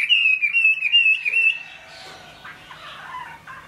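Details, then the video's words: Chinese hwamei singing in the rain: a loud, steady whistled trill holding one pitch for about a second and a half, then quieter scattered notes and soft background noise. "Họa mi hót trong mưa"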